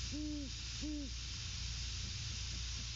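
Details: A male Great horned owl hooting to his mate at the nest, 12/06/22 at 21:50. Two long, level, deep hoots in the first second, followed by steady background hum and hiss.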